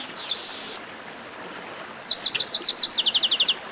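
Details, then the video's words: Chestnut-capped blackbird, esquenta warm-up singing: a brief high buzzy note, a pause, then a fast string of bright, clipped high notes that shift slightly lower midway, roughly fourteen notes in all. "Melhor Esquenta de Garibaldi"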